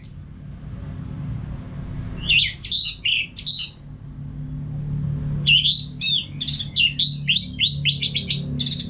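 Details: Song of an orange-headed thrush, played as a training sound for caged birds: after quiet hum, a short run of sharp whistled notes, then a longer, denser stream of varied chirps and slurs.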